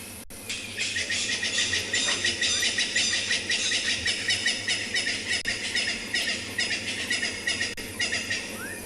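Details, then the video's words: Francolins calling on a Kalahari game reserve in South Africa at sunrise, calls that guides heed when tracking leopards as a sign of a predator: a dense, harsh, grating chorus pulsing about three times a second throughout, over vehicle noise. "when we're tracking leopards or we're looking for an animal, we look out or listen out for sounds like that of those francolins."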